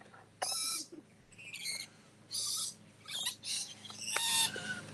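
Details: Captive rainbow lorikeets in their habitat exhibit at Lion Country Safari, screaming but not at full volume, give harsh, grating screeches in short bursts, about one per second, with a person talking quietly underneath.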